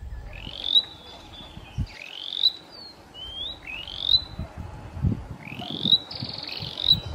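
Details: Cambodian tailorbird, an endemic of Cambodia, recorded around Phnom Penh near the Tonle Sap and Bassac rivers: loud rising whistled notes sweeping upward into a sharp high note, repeated roughly every one to two seconds, with low background rumble.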